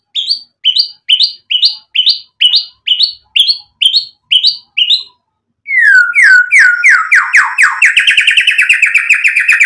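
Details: Loud White-rumped shama song used as a provoking lure: ten evenly spaced sharp two-part whistled notes, a brief gap, then a dense rapid rattling stream of upward-swept notes.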